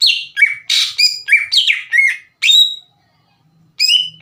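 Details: Greater green leafbird lure song: rapid series of sharp, falling whistled chirps and a harsher buzzy note, a brief silence, then one more ringing whistle.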